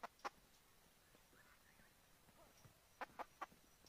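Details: Chicken clucking: a pair of short, sharp clucks at the start, then a quick run of three more near the end, over a steady low hiss with faint distant chirps in between.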